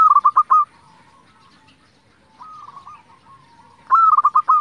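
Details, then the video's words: Zebra dove, local type, singing as a lure to rouse silent zebra doves; a loud stuttering coo phrase, a pause with quieter cooing, then another phrase of a held note followed by quick pulsed beats. "pancingan perkutut lokal gacor"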